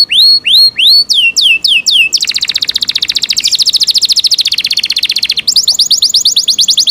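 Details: A caged Yorkshire canary gives rising and falling whistles, then a long rapid rolling trill that shifts in pitch, finishing with a quick sequence of high sweeping notes.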